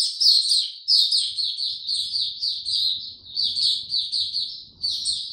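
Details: Caged white-eye on 29 April 2022, given no health supplements, delivers loud, rapid high chattering song in repeated tumbling phrases broken by brief pauses about every second or two.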